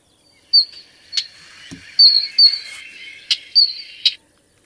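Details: Isabelline wheatear calling: a series of short, high whistled notes, some sliding downward, mixed with sharp dry clicks and a lower buzzy phrase, spread over about four seconds against a quiet background.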